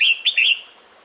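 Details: Female red-whiskered bulbul calling the male in the breeding season, a brief fast phrase of three or four bright whistled notes, the final one held and slightly falling, fading into soft hiss.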